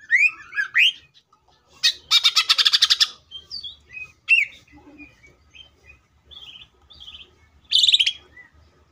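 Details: Energetic song of a Greater green leafbird, used as a lure to trigger other leafbirds: upslurred whistles, a long dense buzzy rattle, then scattered chirps and a final harsh burst.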